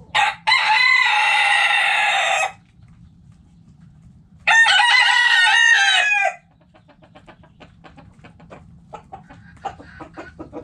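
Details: Backyard rooster crowing in a coop: two long, loud harmonic crows, each about two seconds, separated by quiet, followed by soft short clucks from hens and a low steady hum.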